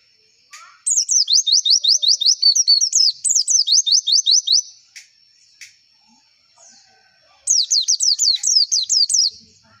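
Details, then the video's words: White-eye song used to provoke caged contest birds into opening their beaks and singing: three bursts of very high, rapidly repeated down-sweeping chirps, separated by short pauses with faint ticks. "PANCINGAN PLECI AGAR CEPET BUKA PARUH"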